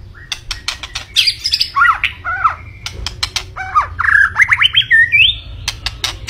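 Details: White-rumped shama pouring out an energetic song of looping, bouncing whistles and quick upward-sweeping notes, broken by sharp clicks and ending in a rising run of ringing phrases, with a low background hum.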